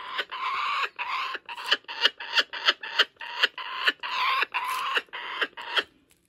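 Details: Male laughing kookaburra at a wildlife sanctuary, laughing while running off with a stolen joey's toy. He gives a burst of harsh, raucous chuckles, regularly spaced and roughly three per second, all the way through.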